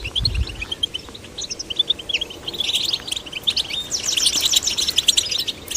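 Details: Young goldfinches, male and female chicks, kept and encouraged to sing; scattered high twittering notes and short trills, growing denser and more continuous in the second half, with a brief low thump at the start.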